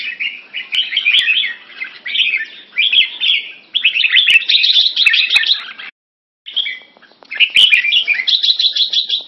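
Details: Singapore-kept Red-whiskered bulbul in French molt singing against rival birds: dense runs of quick chirping, warbling phrases repeated in bursts, several birds overlapping, a brief silent break midway, then renewed chatter with sharp clicks.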